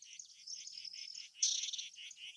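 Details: A Hume's whitethroat in Coimbatore, Tamil Nadu, India, gives dry, scratchy high notes repeated several times a second, with a thin whistled thread and a louder burst midway.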